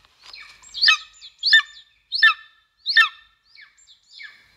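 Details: Golden eagle calling at a nest in Estonia, captured on a live nest camera in 2022; sharp, harsh downward yelps in four loud bursts, followed by softer, fainter slurred notes, against a quiet background.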